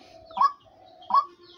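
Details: Female hunting decoy fowl, a caged bird kept for sale, gives two short, bright, rising notes about 0.7 seconds apart, with quiet background between calls.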